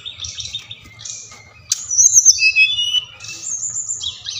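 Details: Bali brown-chested jungle flycatcher song, used to stir captive birds into singing. Soft buzzy notes give way to a loud burst of high, clear whistles sliding downward, then a thinner whistled phrase, with a low hum underneath.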